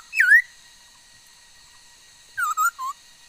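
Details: Female laughingthrush singing, able to make many kinds of sounds, recorded 13 August 2021: one clear slurred whistle dipping then rising, a pause, then three short whistled notes in quick succession; otherwise quiet.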